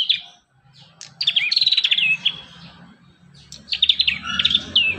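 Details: Prinia song played to train young birds to sing: quick series of sharp, high chirping notes in two bursts separated by a brief lull, with a faint low hum underneath.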